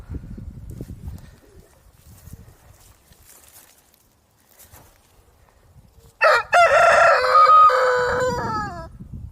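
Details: A rooster crows after a stretch of low background rumble. The crow starts abruptly with a quick stutter, then holds a loud, wavering note that falls slightly as it ends. Low noise returns at the close.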